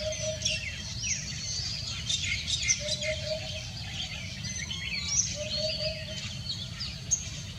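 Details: Low, soft three-note hooting of a common hoopoe, repeated roughly every two and a half seconds on a foggy Sunday morning, 31 January 2021. Many other small birds chirp and trill loudly overhead.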